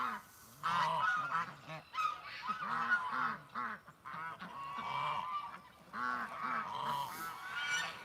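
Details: Farm geese on a May 2019 morning turning back instead of going for a swim: a group giving bursts of nasal honks and lower gabbling calls, several birds overlapping, with short quiet gaps between flurries.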